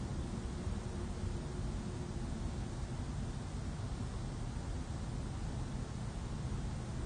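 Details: Continuous broadband hiss and low rumble fill the recording, with no animal sound.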